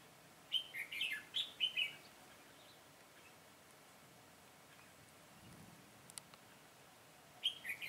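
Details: Decoy red-whiskered bulbul singing to draw in wild birds during a trapping session, 22 September 2017: a quick phrase of sweet chirped whistles, a long pause with faint ticks, then the phrase starting again.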